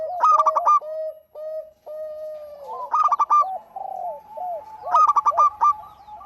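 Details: Zebra dove of a local strain singing vigorously, used to prompt other doves: quick runs of hollow staccato coos ending in drawn-out rolling notes, repeated about every two seconds, with a softer lower cooer beneath.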